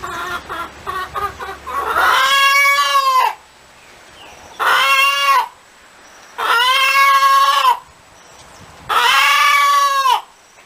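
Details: A cackling hen starts with a few quick clucks, then gives four long, loud, nasal calls. Each lasts over a second and they come roughly every two and a half seconds.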